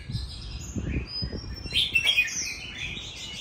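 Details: Mature, forest-caught Oriental magpie-robin kept at home; dull low knocking at first, then a thin high whistle and a burst of bright, varied warbled notes in the second half.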